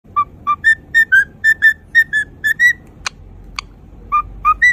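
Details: A pet cockatiel sings a cute whistled song of clear, pure notes, about two per second, stepping up and down in pitch. Two sharp clicks interrupt midway before the whistling resumes.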